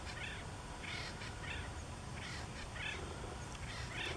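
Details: Acorn woodpeckers in riparian habitat along the Santa Margarita River call and display while exchanging a coveted perch: harsh, nasal, laughing calls in short bursts, about five in four seconds, over a steady low rumble.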